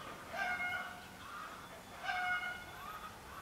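Eurasian bullfinch giving soft, mellow piping whistles, two clear notes about two seconds apart with fainter answering whistles between, over a quiet background hiss.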